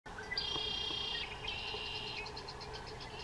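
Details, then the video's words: Male red-winged blackbird singing at Umatilla National Wildlife Refuge in Irrigon, Oregon; a short opening note, then a long buzzy trill, followed by a rapid series of clicking pulses, over a low steady hum. "The Song Of The Red-Winged Blackbird"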